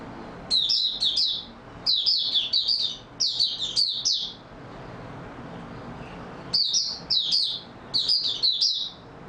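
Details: Oriental white-eye in stable-form opening song, 28 February 2022: clusters of high, rapid twittering notes, a quiet gap of about two seconds, then three more bright bursts.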